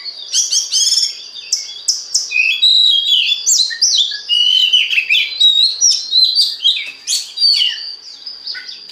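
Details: Energetic Oriental magpie-robin song played to stimulate other magpie-robins, made of dense, high, rapidly changing whistles and twittering phrases delivered almost without pause.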